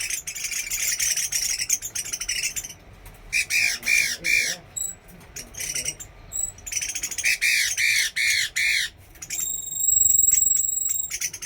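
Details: Chinese hwamei tested in a bird trial, delivering runs of arched, slurred whistled notes repeated several times per second, interleaved with rasping broadband bursts and brief pauses.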